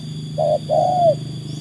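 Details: Single phrase from a trained tekukur, or spotted dove, that has been tested against wild birds: one short soft coo followed by a longer, gently arched coo that fades downward, with a constant low hum behind.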